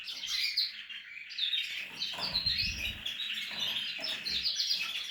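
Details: Portuguese harlequin canary at nest-building time in a breeding setup pours out loud continuous song, a tangle of quick warbled notes, trills and chirps without pause, over faint low rustles.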